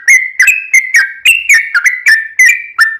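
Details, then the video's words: Sooty-headed bulbul singing actively with long rapid phrases, a lure recording meant to make other bulbuls answer; short clear whistled notes near one pitch, each with a quick upward or downward slur, about three per second, no other sounds. "trucukan gacor ROPEL PANJANG buat pancingan trucukan agar bunyi JADIKAN burung trucuk gacor NYAUT"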